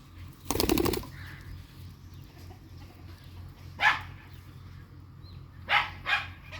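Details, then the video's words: Ringneck parrots fighting: a loud rattling clatter opens, followed later by three harsh, scratchy squawks, the last two in quick succession, with a low hum throughout. "Ringneck Parrots Funny Fight"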